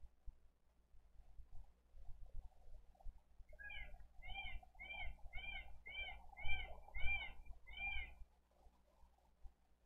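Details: Bald eagle chick at a live-cam nest of a Dade County wildlife rescue, April 20, 2023, asking for food: a run of eight short, evenly spaced, downslurred squeaky chips over about four seconds, with low rumbling background.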